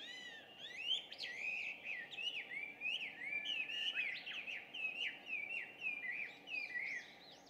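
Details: Chinese hwamei, an introduced species, singing loudly at about 5:30 on a June 2019 morning. It gives a rich, varied run of whistled phrases with rapid rising and falling slurs, delivered continuously over faint background hum.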